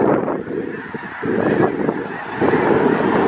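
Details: Snow geese massed in a winter congregation of about 5000 birds in south Grayson County, Texas, February 2018, producing an unbroken wall of overlapping honking and yelping calls.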